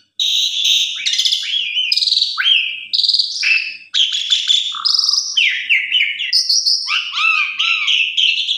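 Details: Asian pied starling singing a full, varied lure song meant to set off other starlings: continuous run of bright whistles, stepped falling notes, buzzy trills and chattering phrases without pause.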